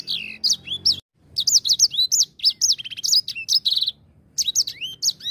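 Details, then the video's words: Grey singing finch lure song: a brief phrase, a second of quiet, then a busy stream of sharp high whistles, a buzzy trilled stretch, a pause, and another burst. "Pancingan Ampuh Langsung Bunyi | EDEL SANGER GACOR"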